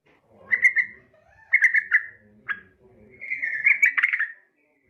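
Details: Yellow-vented bulbul female calling for a male: several short warbling phrases and a longer rippling chatter at the end, over a faint low hum.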